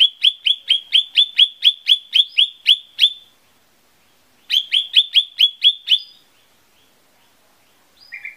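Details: Lesser green leafbird song used as a lure to get birds singing: a steady run of about a dozen sharp, clipped high whistles at an even pace, a pause, then another run of similar notes.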